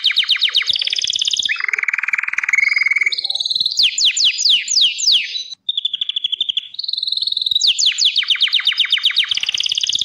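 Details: Gloster canary singing a rich, varied song: fast rolling trills, a low buzzy roll in the middle, then bright descending rattles and repeated chips in quick succession, loud and continuous with no other sounds.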